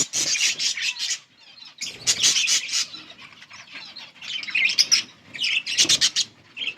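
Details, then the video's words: Yellow budgies chirping, recorded August 18, 2024, in loud bursts of raspy warbling and high twitters separated by brief quieter pauses, with a few soft flaps. "Beautiful yellow budgies chirping sounds"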